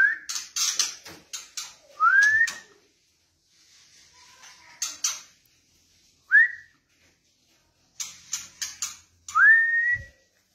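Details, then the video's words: White-rumped shama singing: clear upward-sliding whistled notes every three to four seconds, alternating with bursts of sharp, high, rapid clicking and chipping notes, with short silences between phrases. "BURUNG MURAI BATU"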